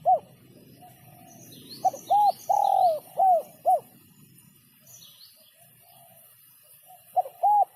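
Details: Spotted dove giving sấm chuông coos for stirring up males, females and young birds: a brief opening note, a long swelling coo, then two short arched coos, then quiet before two more short coos begin. Small birds chirp faintly, high-pitched.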